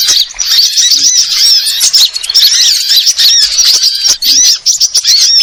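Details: Indonesian burung ribut, a sunbird, twittering continuously with sharp high squeaky notes and quick slurred chirps, tightly packed with hardly a gap over several seconds.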